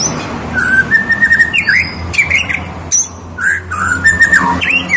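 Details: Tame white-rumped shama whistles loud, fluid phrases of slurred and looping notes in short bursts with brief pauses, over a light background hum.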